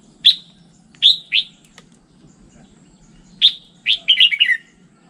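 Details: Red-whiskered bulbul, standard voice, giving three bright whistled notes, a pause, then a fuller phrase of quick warbled notes dropping in pitch at the close; low hum in the background.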